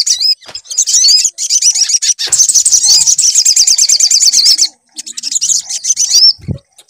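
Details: Sunbird song used to prompt a bird to sing: rising whistled notes lead into a sustained rapid high trill of nearly three seconds, then a softer trill and a closing whistle.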